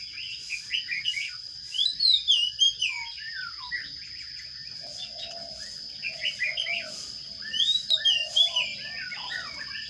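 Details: Sparrow chicks in a nest box begging while being fed: two bursts of excited high chirps and squeals, separated by quieter low buzzy notes, over a constant high-pitched hum.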